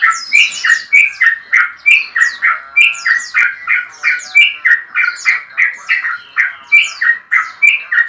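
A male Sooty-headed Bulbul gives a long, lively run of bubbly, chattering phrases, about three a second, mid-pitched with bright upper notes, challenging a rival.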